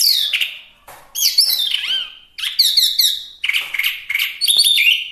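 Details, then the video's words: Song of a Chinese hwamei of the small type known as wambi mini: loud, rich whistled phrases, some falling, some sweeping up and over, delivered in four separate bursts with short gaps. "Suara Asli Wambi Mini/Hwamei Gacor"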